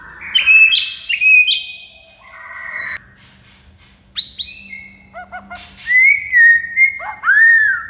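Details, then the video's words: White-rumped shama training song for coaxing mute shamas to respond; varied bursts of rich whistles, quick chattering notes and sharp high clicks, with brief pauses, ending in looping slurred whistles. "MASTERAN MURAI BATU"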